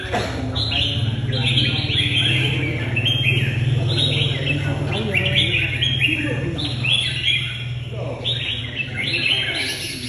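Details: Caged red-whiskered bulbul with a fighting temperament, trained for bird-fighting contests in Vietnam, singing quick bright chirping phrases, rising and falling notes in rapid runs, over a steady low hum with human voices in the background.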